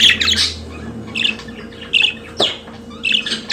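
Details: Chirping pet budgerigars: a few short harsh chirps and squawks spaced about half a second apart, with a faint steady hum behind them.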